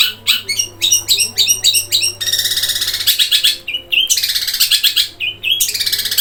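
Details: Long-tailed shrike in full song in the 'gereja kuntilanak roll speed tembak' style: quick runs of high sharp chirps, then a dense rapid rolling trill, more chirp bursts and a loud chattering roll. A steady low hum runs underneath.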